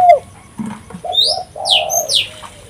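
Spotted dove giving soft, low cooing notes in two or three drawn-out phrases, with sharp, high swooping chirps from another bird over the top.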